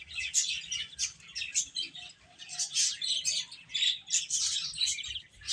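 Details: Domestic chicks cheeping in uneven clusters of shrill, overlapping chirps, roughly one burst per second, with short quiet gaps between.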